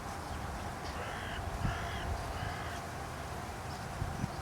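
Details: Three harsh, rasping caws about two-thirds of a second apart from a Carrion crow perched on a stake in Aranoltza, Zamudio, Txorierri, Bizkaia, in 2020. A steady low hum of distant traffic runs underneath.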